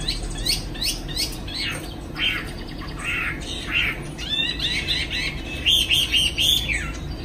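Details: Caged Chinese hwamei in Hanoi, Vietnam, singing in the afternoon while spreading its wings: a restless run of short, varied whistles and harsher buzzy notes, some rising and some falling, with a steady faint hum behind.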